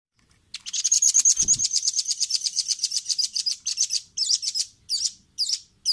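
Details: Velvet-fronted nuthatch, a training recording made for caged birds to learn from: a fast, even train of thin, high chipping notes, about three a second, that breaks into separate, slightly buzzy notes toward the end.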